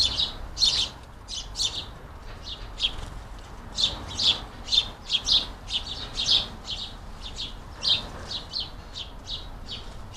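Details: Hungry house sparrows at a busy squirrel-buster garden feeder in the UK chirp steadily, short bright cheeps repeated several times a second, a few louder notes standing out from the chatter.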